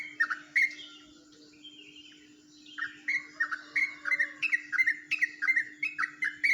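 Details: Jombang yellow-vented bulbul with an uncommon ropelan song: a couple of sharp notes, a quiet gap of two seconds, then a fast, even run of bubbling downslurred chirps; low hum throughout.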